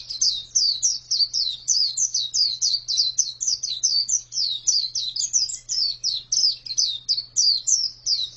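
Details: Female pleci, or white-eye, delivering an unbroken stream of high sharp chirps. Each note slurs downward, and the notes come several per second for the whole stretch. A quiet low electrical-type hum sits in the background.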